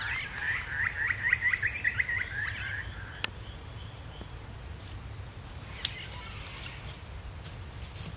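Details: Confiding Chestnut-rumped heathwren, normally a skulking bird, giving a quick run of high, sharp chirps for about two seconds, then quiet; a kangaroo thuds in the background and other woodland birds call.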